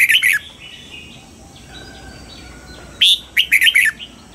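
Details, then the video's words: Dawn singing of a red-whiskered bulbul in the mature wild double-note style (âm kép già rừng), for training: a brisk three-note chirped phrase, a quiet gap with faint distant notes, then a longer phrase of bright slurred whistles. "Luyện giọng cho chào mào hót sáng, ép chào mào hót âm kép già rừng hay tuyệt!"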